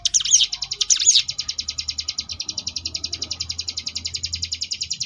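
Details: Sunda bush warbler (ciblek gunung) ngebrem variation for contest birds: two bright, swooping whistled phrases open the clip, followed by a long, regular, rapid buzzy rattle of high pulses, about ten per second.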